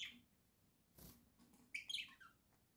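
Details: A pet budgerigar from a home flock, October 2024, gives a brief high chirp, then after a soft thump a quick run of bright twittering notes.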